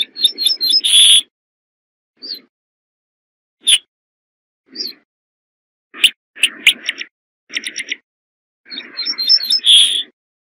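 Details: Corn bunting song: short bursts of dry, jangling, buzzy notes, starting with quick ticking and ending in a high rattling jingle, repeated in scattered phrases with silent gaps between.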